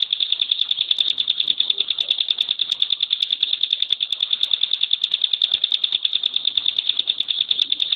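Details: Caged Bar-winged Prinia (ciblek pinus) delivering its dense 'tembakan' song: an unbroken, fast, metallic trill of sharp high notes at an even pace throughout.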